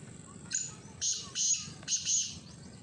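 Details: Black francolin calling: a short sharp opening note followed by two harsh, rasping double bursts, fairly faint against a low background hum.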